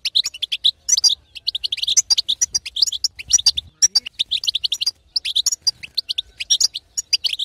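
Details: European goldfinch female twitter called batbata, intended to provoke a silent male to sing: continuous quick sequences of bright, high, slightly buzzy chirps with only tiny breaks.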